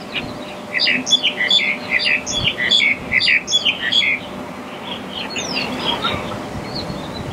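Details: Black-collared starling giving a lively run of harsh, chattering notes mixed with brief high whistles for about three seconds, then fading to a few softer, scattered calls over a steady background hum.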